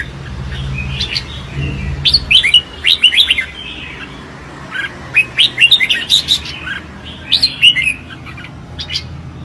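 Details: Red-whiskered bulbul in competitive singing: lively whistled phrases of rising and falling notes in clusters, separated by pauses of about a second or two.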